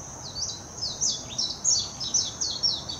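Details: Japanese warbling white-eye singing in Hashimoto City, Wakayama Prefecture, on 26 June 2021, Nikon Coolpix P900 recording: a soft start building into busy, high, slurred warbling notes that sweep downward, steady high drone underneath.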